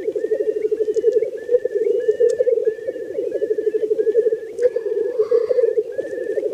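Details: Black grouse males at a spring lek, where males fight over females, make a steady, unbroken low bubbling cooing chorus, with short, higher, thin notes repeating above it about twice a second.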